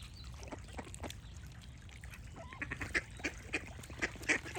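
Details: Duck giving a series of loud nasal quacks in the second half, spaced under a second apart, with birds chirping and low background rumble.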